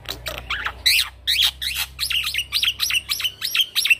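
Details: Rolling song from a young male black-winged myna used to teach other birds: a steady run of about a dozen harsh, downslurred chattering notes, each repeated roughly every third of a second.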